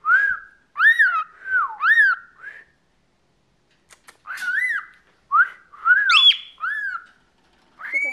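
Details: Chattering 14-year-old male cockatiel kept as a pet whistles phrases of arched, wavering notes in quick succession, pausing briefly midway before resuming with higher upswept whistles.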